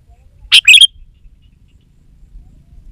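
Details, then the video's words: Sooty-headed bulbul used as a lure for training reluctant birds: one brief, loud phrase of a sharp burst and quick bright, twisting chirps, then near quiet with faint low background noise. "Suara Burung KUTILANG GACOR Untuk Pancingan Ajaran Pikat BURUNG KUTILANG Malas Bunyi di Kebon"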